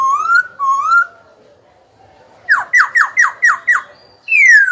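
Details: Young Black-throated laughingthrush kept in a cage, singing to challenge rival birds and train young ones: two rising whistles, a pause, six rapid downslurred notes, then a loud falling whistle.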